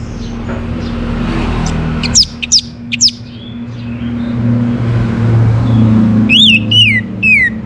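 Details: Orange-headed thrush song meant to spur other caged birds to sing. Several quick, high downslurred notes come first, followed by three louder whistled phrases that rise then fall. A constant low drone sits beneath.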